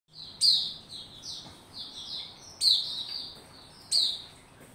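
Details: White-rumped shama, a caged bird singing while being brought into form, recorded 27 December 2021; high whistled notes with quick downward slurs in short separate phrases, a few sharp accented notes standing out.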